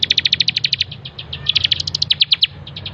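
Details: Bar-winged prinia in full song, used as a master recording for tutoring cage birds: a continuous fast series of sharp, high piping notes, slightly faltering midway then resuming, with faint low rumble underneath.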